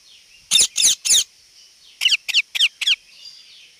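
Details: Rose-ringed parakeet calling: three loud, shrill, harsh squawks in quick succession, a pause, then four shorter, sharper screeches at an even pace, on a quiet background.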